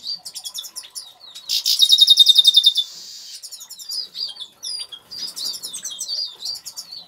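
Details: Agate Major goldfinch singing in an aviary, with quick liquid twitters leading into a loud rattling trill of rapidly repeated notes, then a run of high, tinkling, rising and falling chirps.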